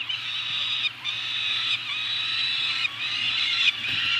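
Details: Peregrine falcons, two birds, Anacapa, 28 May 2018, food drop: loud, continuous, grating wails. Each lasts roughly a second before a short break, and they grow louder toward the end, with a steady low hum beneath.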